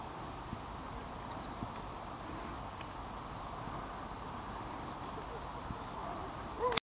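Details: A Common Reed Bunting at Zalew Komorowski, 23 October 2016, gives two thin, high, downslurred 'tseeu' calls about three seconds apart, over a steady rushing wind-and-water background.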